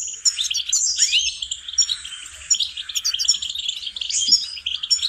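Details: Goldfinch twittering song meant to tutor songbirds, quick liquid chirps, rising slurred notes and bell-like tinkles running on without a break.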